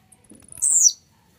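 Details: A warm-up song from an aggressive, fired-up Blue-black grassquit: one sharp, buzzy, high-pitched phrase of about a third of a second that drops in pitch at the end, preceded by soft low murmurs.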